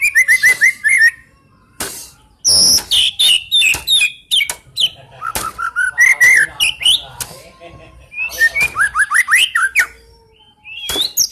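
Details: Oriental magpie-robin in full song: a rich, varied medley of fast whistled trills, sharp chirps, slurred rising notes and scratchy phrases, delivered in loud bursts separated by brief pauses.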